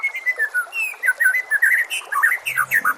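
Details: Tutor song of a white-rumped shama for training caged birds, a quick stream of clear whistles, downslurs and rising slurs packed closely together without pause.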